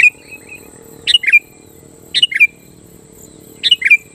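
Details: Sooty-headed bulbul singing to provoke wild and caged bulbuls into answering: a repeated short phrase of three bubbly falling notes, given three times about every one and a quarter seconds over a steady hum and high hiss.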